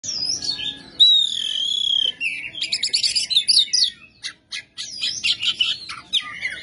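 An Oriental magpie-robin sings loud, sweeping whistles that slide up and down, then breaks into rapid, harsh, scratchy chips and phrases. No other sounds.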